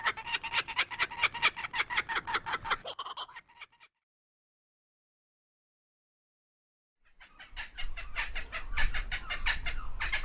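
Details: Kookaburra laughter resembling human laughing: a fast run of harsh, harmonic, repeated notes for about three seconds, then a pause of several seconds before another noisier burst of rapid cackling with low rumbling background noise.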